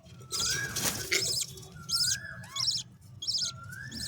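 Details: Budgerigar; begging call; chick begging to be fed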